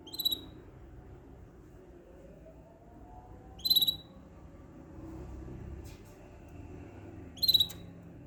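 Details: Canary giving a short, high, buzzy pulsed trill, repeated three times at roughly three-and-a-half-second intervals, with quiet gaps between and a faint low hum behind.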